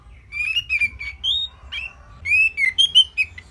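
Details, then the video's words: Orange-headed thrush singing a simple, easy-to-copy tutor song for songbirds: two runs of clear, mellow whistled notes, each wavering up and down, set apart by a short pause. "Kicauan Simpel ANIS MERAH"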